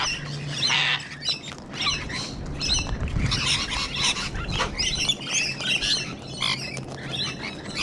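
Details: Parrot flock with cockatoos in Sydney, Australia, Rainbow Lorikeets also about: repeated grating squawks in irregular bursts over busy chattering, with a faint low hum.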